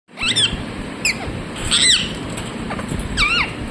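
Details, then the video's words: Parrot calling loudly: a series of sharp, squealing chirps that sweep up and down, with about five calls spread over a few seconds, over steady background hiss. "Mithu Mithu Loudly Sound #Parrot chirping sounds"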